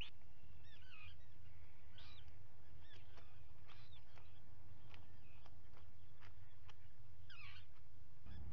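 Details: Common guillemot nest with two chicks hatching, filmed by a live camera on 27 June 2020; scattered thin, curved whistled calls, a few short bursts and a clustered series near the end, over a low rumbling wash of sea or wind.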